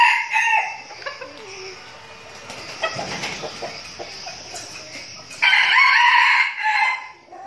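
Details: Decoy red junglefowl from Bình Phước, Vietnam, in training to lure birds in the forest. A short crow opens, low murmuring and faint clucks follow, then a loud, rasping, harmonic crow lasting over a second.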